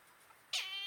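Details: Brahminy kite, known as Garuda pakshi, at Kasavanahalli lake in Bangalore, India: one abrupt, high, mewing squeal that begins sharply and thins into a drawn-out tone, with no other clear sounds.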